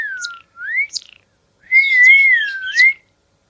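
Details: Pet parrot enjoying time out of its cage gives clear whistled notes: a falling then rising pair of tones, a pause, then a long wavering whistle that dips and climbs before ending on a rising note.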